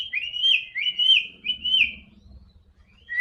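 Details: White-rumped shama song meant to coax a silent bird into singing: three similar rich whistled phrases, each rising then dipping, repeated about every two-thirds of a second, followed by quiet and a final upslurred note.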